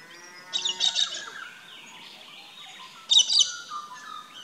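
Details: Galah calling in an Australian backyard garden: two loud, harsh, rasping screech bursts about two and a half seconds apart, each roughly half a second long, with quieter chatter between them.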